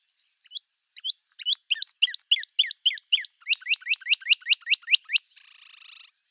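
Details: Northern cardinal giving a few spaced upslurred notes that speed into a steady run of rising whistles, ending in a short buzzy burst.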